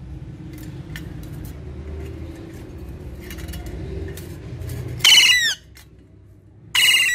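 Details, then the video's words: Pet Alexandrine parakeets playing with their toys; after a stretch of low room noise, two loud harsh screeches ring out, each a rapid downward-bending harmonic burst lasting about half a second. "Cute Alexandrine Talking Parrots Playing With Their Toys"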